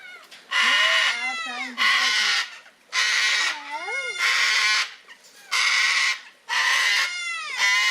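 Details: Gang-gang cockatoo at Palmitos Park on Gran Canaria in the Canary Islands giving harsh, grating, creaky calls in roughly one-second bursts about once a second, with lower whistled or voiced sliding notes in some of the gaps.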